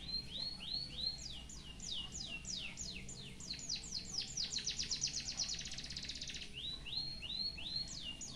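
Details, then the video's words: White-headed munia giving canary-filled song for tutoring: quick descending sweeps repeated rapidly, accelerating into a buzzy rapid trill, then rising whistles resume near the end. "BURUNG EMPRIT HAJI FULL ISIAN KENARI BIKIN GOYANG GOYANG COCOK BUAT MASTERAN"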